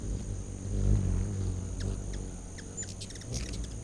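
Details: Late August 2019, hummingbirds crowding a back-deck feeder: a low buzzing hum swells early, then sharp high chips cluster in quick bursts toward the end.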